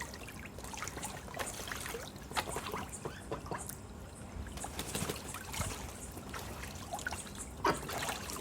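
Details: Water trickles and splashes steadily throughout, with scattered sharp drips and one louder splash near the end, and no animal calls.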